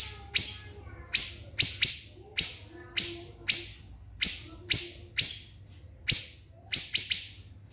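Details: Siri-siri bird singing for a songbird contest training recording, loud shrill piercing notes delivered as sharp high bursts, about a dozen spaced downslurred whistles with quick doubled and tripled shots.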